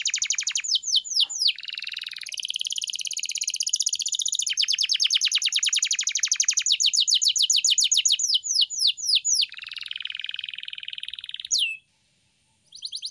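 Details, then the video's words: Masteran canary song for training pet birds to sing: long runs of very fast trilled notes changing tempo and pitch, a buzzy rolling passage, a sharp upsweep, brief silence, then trilling resumes. "Masteran Burung Kenari _ CANARY SINGING__ الكناري"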